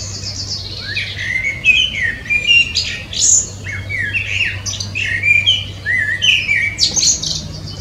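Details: Melodious common blackbird song, a run of mellow fluted phrases, each sliding up or down and usually ending in a scratchy high twitter, repeated with short pauses; faint low hum underneath.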